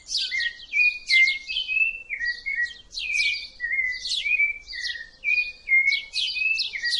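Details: Rufous-bellied thrush singing a continuous, varied song of clear whistled phrases, each with a sharp high upper note over a steady falling lower whistle, repeated without pause over a quiet background.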